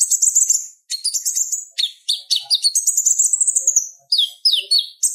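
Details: Purple-throated sunbird singing, used as training material for other songbirds: very high, rapid twittering phrases with sharp chirps and short trills, separated by brief gaps.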